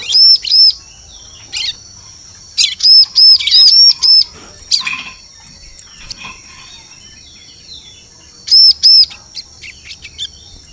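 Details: Lure call of a bar-winged prinia for attracting forest birds. A clipped pair of high chirps is followed by a fast string of five arched notes, softer twittering, a pause, and a final pair.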